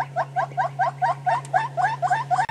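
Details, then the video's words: Hornbill giving its morning call with a display on a sunrise safari drive on June 30: a steady run of hollow clucking notes, about four per second, continuing without pause, over a constant low engine hum. "Hornbill Doing His Morning Call And Display"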